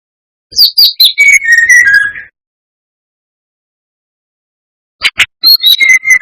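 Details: Two whistled phrases of brown-chested jungle flycatcher song, played as a lure to incite rivals. Each opens with quick high notes that drop to lower, slurred whistles, with a long silent gap between phrases.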